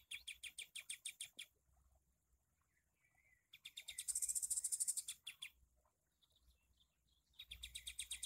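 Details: Sooty-headed bulbul in bursts of rapid, high, ticking trills separated by quiet gaps with faint whistled notes. A loud, dense, buzzy volley in the middle gives way to silence before the fast chatter returns.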